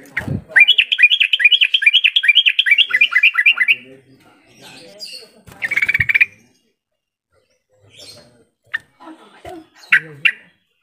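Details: Yellow-vented bulbul lure call used to stir silent birds into answering: a fast bubbling, chattering run of rising notes for about three seconds, followed by scattered short sharp notes and brief pauses.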